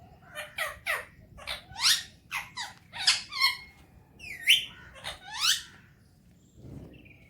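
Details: Pet Alexandrine parakeet, a talking parrot, enjoying morning time; a rapid series of short squeaky chirps and whistled notes, many rising or falling, ending with a faint low rustle.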